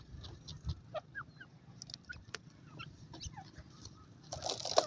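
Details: Silver pheasants, with young birds said to be playing: scattered short clucks and brief chirps, several overlapping at irregular intervals, rising to a louder burst of noisy calling near the end over a low background rumble.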